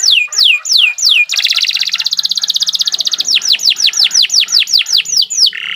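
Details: Canary song meant as a model for captive birds learning to sing: rapid falling whistled notes, then a dense buzzy trill for two seconds, then more quick downslurred notes and a short rolling ending.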